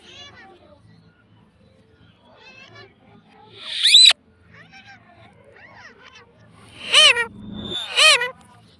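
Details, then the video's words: Pet parrot talking "mummy": a sharp rising squeal, then after quiet stretches two loud arched, harmonic utterances close together, amid faint soft chatter and a brief low thump. "Talking parrot - Bolne Wala Tota - Mummy Bolne wala tota - pattu parrot talking"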